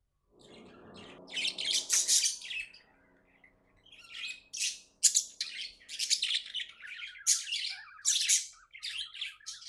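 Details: A happy pet budgie chirping: after a soft low murmur, sharp high squawky chirps come in clusters, repeated roughly every half second toward the end.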